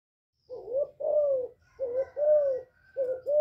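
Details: Spotted dove (cu gáy, cu đất) singing loudly, recorded live without background noise, used to stimulate captive decoy birds; low hollow coos in pairs, a short note followed by a longer slurred coo, repeated three times, with faint higher tones above.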